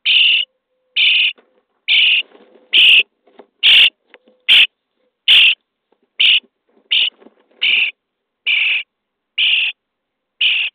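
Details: Starling young in a nest box, day 23, begging during feeding: a steady series of thirteen grating, buzzy rasps roughly every eight-tenths of a second, with occasional clicks and scratching.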